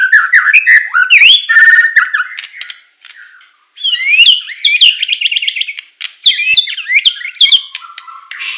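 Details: White-rumped shama, Medan type, delivering full tembakan song: varied whistles and sharp snapping clicks, a short pause, then rapid high buzzy rattles and staccato bursts repeated in quick succession.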